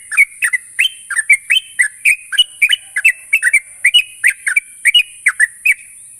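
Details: Sooty-headed bulbul, played as a lure to get young birds singing continuously: a rapid run of short liquid whistled notes, each dipping or rising, about three per second, over a steady high hiss.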